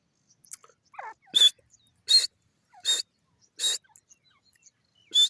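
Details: Grey francolin, locally called teetar, in forest in Pakistan: five loud, harsh, noisy bursts repeated roughly every three-quarters of a second, after a faint short rising note, with an otherwise quiet background.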